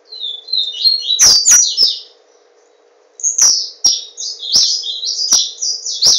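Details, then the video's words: Papa-capim seedeater held in a cage in Garanhuns, Brazil: a buzzy phrase climbing to high notes, a pause, then a second long run of sliding buzzy notes; cage clicks and faint hum audible. "Papa capim Tornado - Garanhuns-PE"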